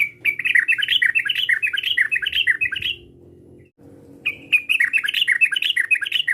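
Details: Sooty-headed bulbul calling to provoke a rival: lively chattering bursts of bubbly, warbled notes in quick runs, pausing near the middle before another fast series resumes.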